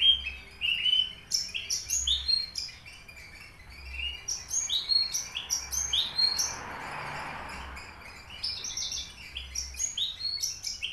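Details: Caged Horsfield's bush lark of subspecies aliena from Papua, singing actively: a dense, varied run of high chirps, trills and short slurred whistles with brief pauses and soft background hiss.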